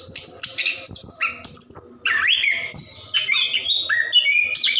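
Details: Plontang-type orange-headed thrush in full ngerol song, used to encourage quiet birds to sing: fast sequence of high thin whistles, squeaky chatters and a warbled dip in pitch midway.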